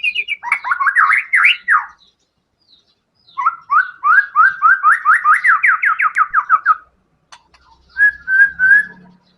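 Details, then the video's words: White-rumped shama in full, energetic song delivering rapid 'tembakan' bursts packed with 'isian' fill-in phrases: a fast tumbling chatter, then a long run of about fifteen quick repeated slurred notes, ending with short whistled phrases after a pause. "TEMBAKAN MURAI BATU GACOR BONGKAR SEMUA ISIAN FULL FIGHTER"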